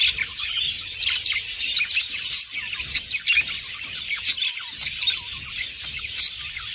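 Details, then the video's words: Budgerigar chatter meant to encourage breeding: many overlapping high twittering notes and quick rising-falling chirps run without pause, a busy warbling flock sound throughout. "تحفيز البادجي على التزاوج"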